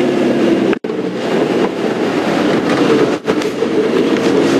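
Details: Loud rumbling rail noise with rattling train wagons, broken by two brief dropouts, and no animal voices.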